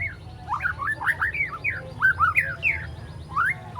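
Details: Juvenile white-rumped shama aged three months, still learning its mimicked repertoire and sharp phrases, gives a run of clear, mid-pitched whistled slurs, several rising or bending notes in quick succession, with a low hum behind.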